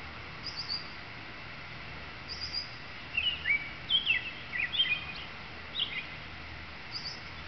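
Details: A male American robin, one of many nesting in the area, sings from a tree after flying over from another tree where he fought off another male; a burst of short warbled caroling phrases with thin high squeaky notes, over steady hiss.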